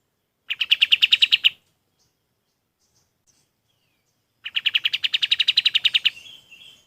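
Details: Golden-bellied gerygone, song used to train other birds: a short rapid trill, a silent gap, then a longer run of evenly repeated buzzy notes trailing into softer chirps.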